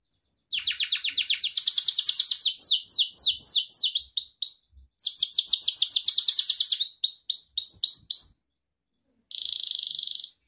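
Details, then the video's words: A Gloster canary, pet breed, singing to train other canaries: long rapid trills of repeated chirps with a pause midway, closing after a silence with a brief dense buzzing burst. "Gloster Kanarya Ötüşü Canary Singing"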